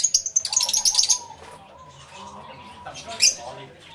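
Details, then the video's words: Lovebirds in a crowded aviary holding species such as masked and Fischer's lovebirds give a rapid burst of shrill, high chattering chirps, then quieter squeaks and one sharp shriek near the end, with faint soft chatter beneath. "Lovebird Sounds"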